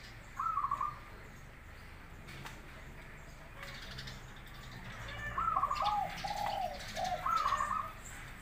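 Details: Cooing of local and crossbred zebra doves, recorded as a master track to make other doves reply: short phrases of quick, slightly wavering coos, one early, then a cluster of three near the end, against steady low noise.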